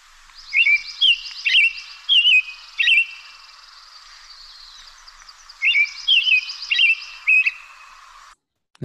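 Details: An American Robin, a Lake Tahoe bird, sings two runs of clear, whistled, rising-and-falling phrases, about four or five phrases per run with brief pauses between them.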